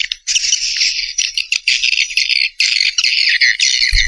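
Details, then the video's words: Swiftlets keep up an almost unbroken, buzzy, rattling twitter with only tiny gaps. A low thump is heard at the very end. "SUARA WALET MAXIMUM ORIGINAL RESPON WALET LENGKET"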